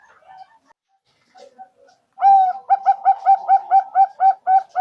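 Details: Zebra dove call used as a lure for trapping: soft, scattered notes at first, then a loud, rapid run of short, clear, mid-pitched coos about three a second.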